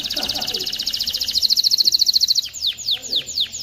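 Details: Male canary song meant to train young birds to sing and ready hens for mating: a fast, even rattle of high pulses for about two seconds, then a series of downward-swooping whistled notes.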